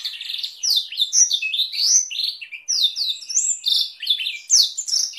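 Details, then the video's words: Training song of a canary with Blackthroat roll variation, intended for canaries and magpie-robins; loud, clear, ringing whistled phrases, sweeping up and down, in bursts with brief dips between them. "Masteran Kenari Durasi Panjang dengan Variasi roll Blackthroat"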